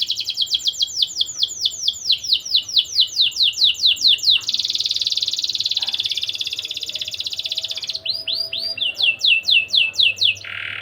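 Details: Young canary song used to stir breeding urge: rapid repeated descending whistles, a long steady buzzy trill, then more sweeping whistled notes and a final rolling phrase.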